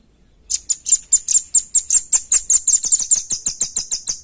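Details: Velvet-fronted nuthatch giving clear song for luring and training other birds: about eighteen sharp, high-pitched notes in quick succession over nearly four seconds, slightly slowing and softening toward the end.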